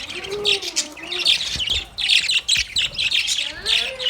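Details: Several happy pet budgerigars playing in a cage, giving dense, overlapping high chirps and short squawky notes in rapid, irregular bursts, with a few lower sliding whistles beneath.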